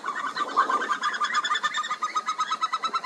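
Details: Himalayan snowcock, found on alpine pastures and steep rocky cliffs, giving a rapid series of clear whistled notes, repeated about three times a second in a steady pulsing run.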